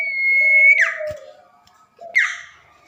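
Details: At night a tame common iora gives a long, steady, clear whistle that drops into a slurred fall, then a second short slurred note, with a continuous low hum behind it.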